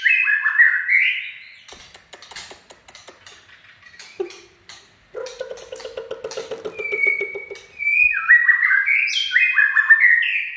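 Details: White-rumped shama in chạy cầu song: opens with stepped, falling whistles, shifts into a fast run of dry clicking and low buzzy rattling notes, then returns to a long clear whistle and bright descending phrases.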